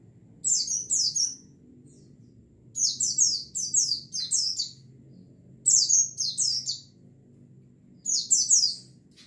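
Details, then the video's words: A flock of white-eyes, recorded as lure therapy to prompt other birds to sing freely: four bursts of three or four high, thin, downslurred chirps, each burst separated by roughly two seconds of quiet with a soft low hum beneath. "TERAPI PANCINGAN BURUNG PLECI OMBYOKAN BIAR CEPAT NGALAS"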